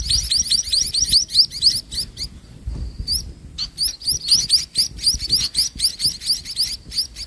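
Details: Evening feeding of sparrow chicks by their mother before night; rapid clusters of high upslurred chirps, around four per second, with a short lull near the middle.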